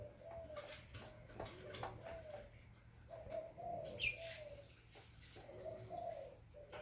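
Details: Quiet, low, breathy coos from a young spotted dove come in several short bursts over a few seconds, with one brief high chirp and soft background hiss.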